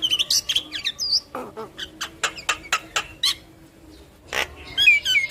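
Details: Energetic song of a yellow-eyed black-winged myna, nodding as it sings to prompt listening mynas to join: quick whistled chips, a string of sharp ticks, a harsh rasp, then twittering high notes after a short pause.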